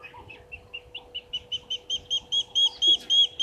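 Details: Spurfowl calling from the dam wall at Gowrie dam, a waterhole on Djuma Game Reserve in the Sabi Sand Wildtuin, South Africa, at 16:19 on 09/16/2023. Rapid series of short high notes, about four per second, growing steadily louder, over a steady low hum.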